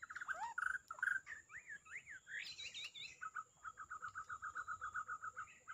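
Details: Murai batu, the white-rumped shama, in song: rich, varied whistled notes sliding up and down, then a rapid even run of identical mid-pitched notes about five per second.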